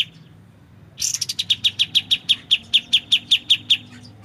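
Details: White-shouldered triller song used as a training recording for magpie-robins: after a second of quiet, a harsh opening burst leads into a steady trill of about fifteen sharp high notes spaced evenly.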